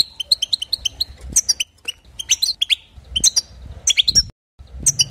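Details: Singing European goldfinch, used to excite other goldfinches: sharp high twitters and liquid trills in fast phrases, broken by short gaps and a moment of silence near the end.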